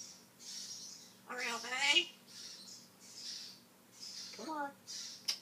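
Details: Male African grey parrot kept as a pet and known for talking, mimicking words. Two speech-like phrases with voiced, word-like sounds stand out among soft, high, hissy squawks in a quiet indoor setting.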